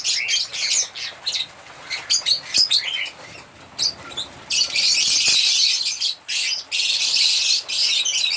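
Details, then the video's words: African lovebirds begin with short, separate bursts of sharp chirps, then break into long stretches of continuous shrill twittering. "African Lovebirds singing and chirping sound"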